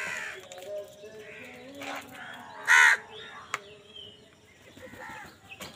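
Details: Crow fighting for food gives one loud, rasping caw in the middle, surrounded by fainter distant caws and murmuring background noise.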